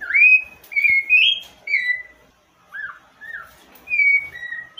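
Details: Rufous-bellied Thrush (sabiá-laranjeira) of Brazil singing rich, fluting whistled phrases, some rising and some falling, spaced about a second apart in a relaxed, varied sequence.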